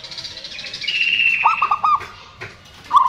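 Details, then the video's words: Local Indonesian zebra dove, a lively singer used to lure birds that have stopped singing: a higher drawn-out whistle, then staccato notes and a sustained mid-pitched trill, ending on another trilled phrase. "PERKUTUT LOKAL GACOR, SUARA BAGUS UNTUK PANCINGAN MACET BUNYI"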